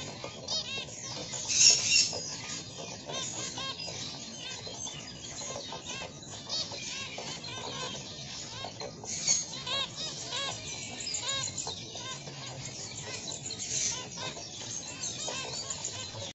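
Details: Blackface and black-breasted zebra finches in a breeding setup chatter continuously with rapid, nasal beeps and high twittering notes from several birds at once.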